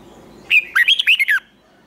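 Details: Red-whiskered bulbul in a fighting song meant to fire up competition birds during training. One short, loud phrase of about six slurred, liquid notes rises and falls, then silence.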